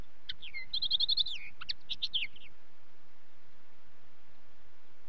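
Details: Common linnet song: a quick twittering phrase of high trills and short notes lasting about two seconds, then quiet with faint background hiss.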